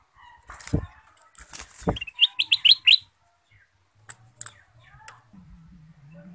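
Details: Male goldfinch (kutilang emas), chattering lure song: a short run of five or six crisp rising high chirps amid handling thumps and clicks, then low background hum.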